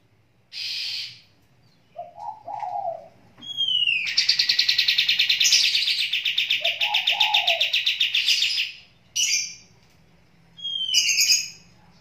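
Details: Sooty-headed bulbul singing as it bathes in water: short whistled phrases and soft low warbles lead into a long rapid, buzzy chattering trill of nearly five seconds, followed by brief rising whistles and clipped notes.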